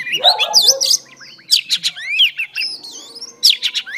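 A female Oriental Magpie-Robin sings a lively run of high, clear whistles, upward-sweeping notes and short buzzy trills, with brief pauses between the bursts.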